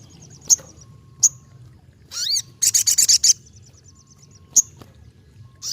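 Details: Ruby-cheeked sunbird in lively song: scattered single high, sharp chips, a rising then falling slurred whistle, and a short burst of about six rapid, high metallic notes, over a faint low background hum.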